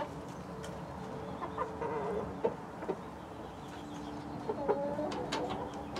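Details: Mixed-breed backyard hens with Rhode Island Red roosters; a few drawn-out murmuring clucks and short soft notes spread over several seconds, with faint clicks and steady low background noise.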